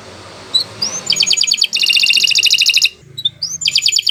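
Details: Canary song used for training other birds: a couple of upward slurs and two bursts of fast rattling trill over a soft background hum.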